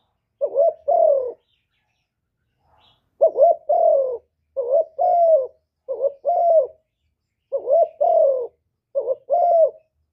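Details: Hạp bổi-voiced spotted dove cooing, full song combining calling, urging and coos, recorded live with no background noise: six low two-part phrases, a clipped rising-falling note then a sustained descending coo, delivered steadily.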